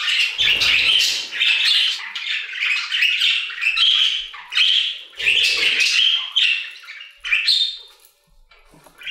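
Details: Budgerigars singing in an aviary, a flock chorus of rapid chattering warbles, chirps and harsh squawks in bursts, easing to near quiet at the end, with brief low thumps.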